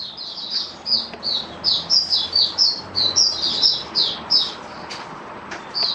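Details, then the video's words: Caged mata puteh, oriental white-eye, singing buka sing display: steady chain of high, slurred chirping notes about twice a second over a soft background hiss. "Mata Puteh Buka Sing"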